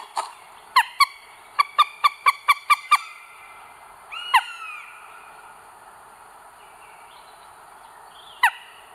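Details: At a northern goshawk nest with three eggs, North Estonia, 30 April 2022, live camera: a rapid run of about seven sharp, clipped notes, then a longer down-slurred cry and a single later note, over faint hiss.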